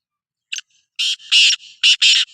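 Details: Sindhi black francolin (kala teetar) giving its call: a short sharp click, a pause, then four loud rasping, grating notes in a rhythmic grouped series, with softer connecting sounds between them.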